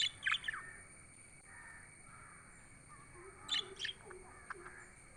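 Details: Chirping budgerigars: a quick cluster of shrill chirps at the start, a second pair past the midpoint, and a soft, low, warbling tone between them.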